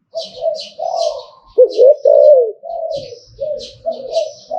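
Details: Liu tan style zebra dove song from Thailand, a continuous run of warbling coos with one strong looping phrase in the middle, accompanied by light high-pitched chirping birds.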